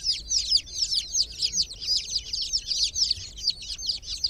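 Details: Only chick voices here: groggy chicks in a water pool chirp in a continuous run of loud, high, down-slurred peeps, about three each second.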